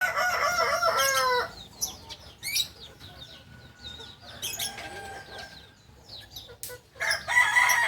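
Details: Kukuak balenggek rooster, a singing chicken breed from Solok, West Sumatra, gives a long harmonic crow broken into rapid stepped syllables over about a second and a half. Scattered faint clucks and chirps follow, then a second crow begins near the end.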